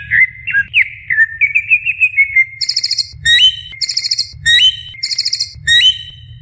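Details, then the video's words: Greater green leafbird in full song, used to stimulate beginner leafbirds to sing: varied whistled phrases running into rapid buzzy trills and sharp rising whistles, repeated in quick bursts, with a low background hum. "SI CUCAK IJO NGOCEH"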